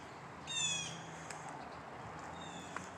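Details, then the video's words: Blue Jays sounding off outdoors on a dreary, white-skied morning, 2 April 2026: one harsh, nasal call lasting about half a second, then a fainter call, over the low drone of aircraft overhead. "you can hear the blue jays out here"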